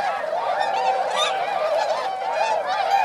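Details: Swans flying over winter rice fields at Inzai, Chiba Prefecture, Japan, in December 2014, flock of about 905; close, loud overlapping bugles and honks, harmonic and wavering, steady throughout.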